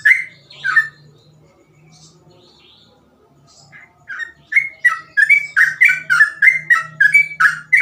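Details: Two loud slurred whistles from a sooty-headed bulbul, then quiet with low hum, before a fast run of repeated bright whistled notes in its 'ropel' song used as a model for other bulbuls.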